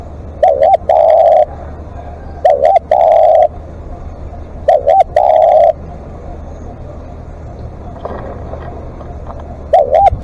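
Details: Spotted dove calling at length during a live decoy session: phrases of two short wavering coos followed by one long drawn-out coo, repeated about every two seconds, with low background rumble.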